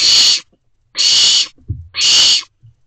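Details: Owlets in a nest box at night, shortly after midnight in early June: three loud, harsh, hissing screeches, each about half a second long, spaced roughly one second apart, with faint soft thumps between them.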